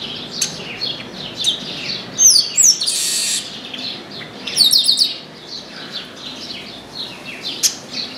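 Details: Chestnut-capped blackbird singing from an orange tree while people worked close by: bright falling whistles and a long harsh rasp, another burst of ringing notes, all over a continuous twitter of high chirps.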